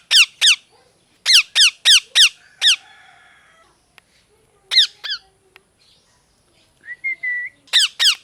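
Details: [8, 'A parrot gives scattered bursts of two to five harsh, falling chirps separated by quiet gaps. A brief thin whistle is heard near the end, followed by more chirps.']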